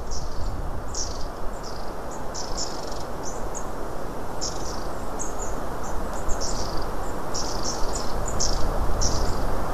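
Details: Several long-tailed tits talking close by on 24 January 2017, giving quick high, thin calls in clusters of two or three, irregular and frequent, over steady low, roaring wind noise.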